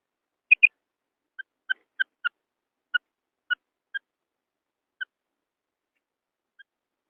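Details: Female quail calling as a lure for wheat-field hunting: an opening loud double note, then scattered single clipped notes at uneven intervals that fade toward the end.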